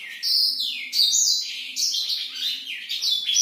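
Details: Black-throated canary giving vigorous night song, a rolling series of high whistles with downward slurs and quick upward flicks, delivered nonstop in short linked phrases.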